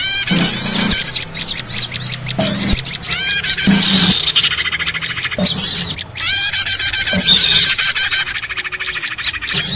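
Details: Small birds in a noisy chorus used to lure birds into traps: long bursts of rapid high chattering and squawks separated by short gaps, with bright rising whistles breaking through.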